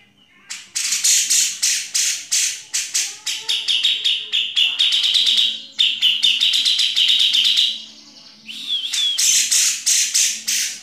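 Grey-cheeked bulbul giving loud, sharp, high 'pik' notes in fast stuttering bursts, with a brief pause before the chattering resumes; a faint low hum underneath.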